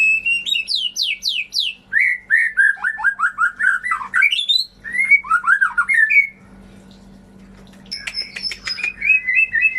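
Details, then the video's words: White-rumped shama singing, meant to prompt birds that have gone quiet to sing again: rapid high descending sweeps, then rolling whistled notes sliding down, a short silent gap, then scratchy high notes and whistles; faint hum. "Pancingan Murai Macet Bunyi, Bisu, Kurang Gacor atau Ngedrop"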